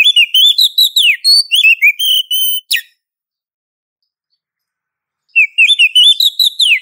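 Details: Female Oriental magpie-robin calling a male, as a lure recording: rapid warbling with rising and falling whistles, steady held notes and a sharp downslur, then a pause before another quick varied phrase.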